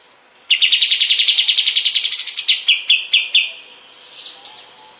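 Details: Kapas tembak bulbul, master recording used to tutor other songbirds: a rapid chattering trill that rises slightly, then slows into a few spaced, louder piping notes and a soft, higher twitter.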